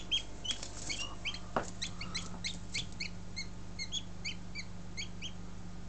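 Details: Newly hatched Buff Orpington chicks, hatched on 2 March 2011, giving many high, thin, short peeps in quick irregular succession over a steady low electrical hum, with one louder thump partway through.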